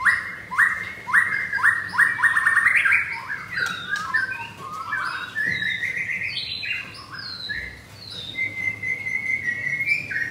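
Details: White-rumped shama, a pastel blorok colour variant, caged and singing hard against a rival at nine in the morning; rich varied phrases of rising slurred whistles repeated in quick series, then high sweeping notes and trills.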